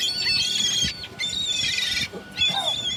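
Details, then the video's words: Three drawn-out, raucous gull cries with a nasal, wavering tone, each about a second long and separated by short gaps. "Seagull noises"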